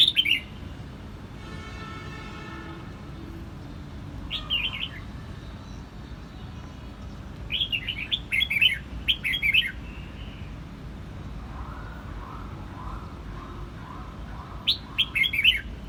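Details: Red-whiskered bulbul singing, Quang Nam, Vietnam: scattered quick whistled phrases, a run of several rapid warbled bursts midway, plus a brief humming electronic tone near the start and soft low background noise.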